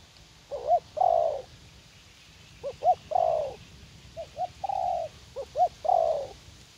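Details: Spotted dove in a garden at U Minh, a young wild-caught decoy bird keen to fight, cooing four times: each phrase has two short clipped notes then a longer, slightly falling coo, repeated every couple of seconds over quiet background.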